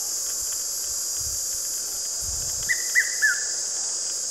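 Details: Male red-chested cuckoo calling in summer in South Africa, giving its three-note whistle, each note falling, in quick succession, over a steady high-pitched insect drone.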